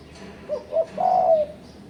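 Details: Spotted dove call, used as a lure to pressure rivals: a quick soft coo and a second short note, then a long level croo lasting about half a second, then quiet.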